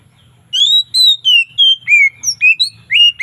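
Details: Loud, relaxed 'ngeplong' afternoon song variations of an Oriental magpie-robin: after half a second of quiet, a string of pure whistled notes starts, alternating falling and rising slides in quick, slightly uneven succession.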